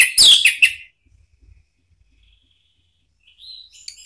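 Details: Orange-headed thrush song used as a lure: a brief loud cluster of sharp, slurred whistled notes, long near-silence, then a faint rising whistle and a clipped final note.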